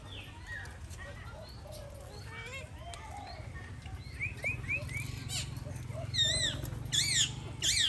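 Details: Alexandrine parakeet at feeding time: varied short chirps and rising whistled notes, building to loud, wavering, high squawks near the end, over a low hum and a person speaking.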